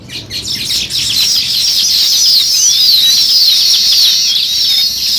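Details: Many sparrows chirping at once, a continuous bright high twitter that stays loud throughout, with quick sliding notes laced through the din.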